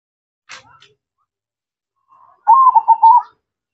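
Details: Zebra dove in full song, a brief click and faint rustle early, then a soft lead-in note followed by a loud, bubbling, trilled coo phrase of several rolling beats.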